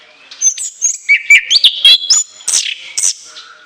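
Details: Anis kembang, an orange-headed thrush, singing shrill varied phrases: rising and falling whistles, buzzy slurred notes and sharp high shrieks in quick succession, loud and close.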